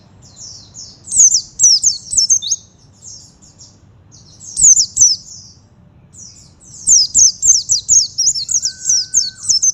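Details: Oriental white-eye in lively song: rapid high twittering phrases of sharp down-slurred notes, delivered in three bursts with brief pauses between.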